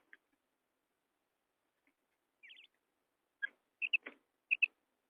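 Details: Female quail calling: a faint early note, a brief buzzy trill, then a cluster of sharp, clipped high notes in quick pairs over the last two seconds, with long silent gaps between.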